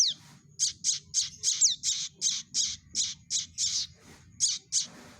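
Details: Prinia chick calls used as a trapping lure, a steady run of short scratchy high squawks about four per second, one slurred whistle mixed in, with a low background hum.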